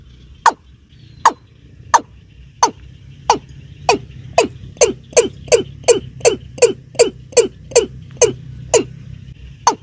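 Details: Watercock, locally called keb-keb, played by hunters to lure birds: short, hard, knocking notes, first spaced nearly a second apart, then speeding up into a fast, steady run of about twenty notes, over a faint low hum.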